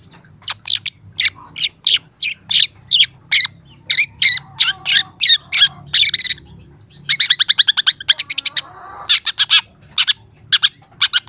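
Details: Young long-tailed shrike singing for use as a training recording. Its song is a series of sharp, loud, clipped notes spaced about half a second apart, then a fast rattling burst, then more spaced notes.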